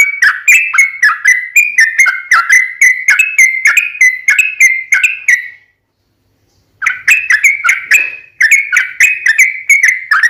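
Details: Long rapid lure song of a sooty-headed bulbul in fighting style, meant to make wild bulbuls answer at once; a fast run of bubbly whistles lasting over five seconds, about a second of silence, then another lively run.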